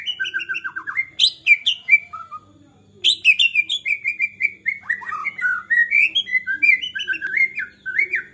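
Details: Agitated white-rumped shama song that is said to provoke other shamas to sing: loud, fast varied whistles, trills and sharp chips, a brief pause, then a long continuous rush of warbled phrases.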